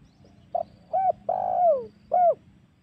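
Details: Spotted dove lure call meant to draw in wild doves for hunting in Indonesia: a single phrase of soft hollow coos, one long note sliding downward in the middle, over a faint low hum.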